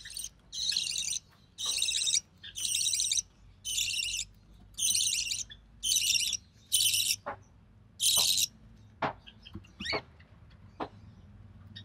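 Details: Budgerigar chick, recessive pied, born early June 2020, being fed by its mother; a run of about nine evenly spaced raspy hissing bursts, then scattered clicks and faint ticks toward the end.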